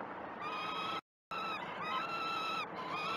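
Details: Great Spirit Bluff peregrine falcon nestlings calling for food at a morning feed on 12 June 2018, via live cam: steady, strongly harmonic screeching wails, broken by a short silence, then resumed with small wavers.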